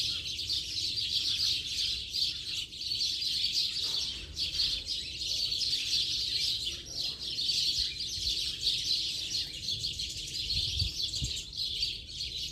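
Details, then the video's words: A flock of house sparrows in the late afternoon keeps up a dense, continuous wash of overlapping chirps and cheeps, a busy unbroken chatter with no single voice standing out. "Bando de Pardais Cantando Baderna de Final de Tarde!!!"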